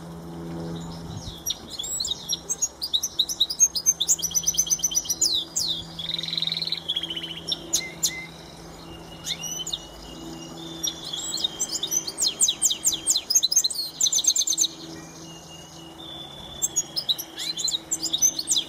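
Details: Goldfinch mule, a top-class singer in full song: rapid bursts of high twittering and trilled phrases with sharp whistled notes, broken by short pauses, over a faint low hum.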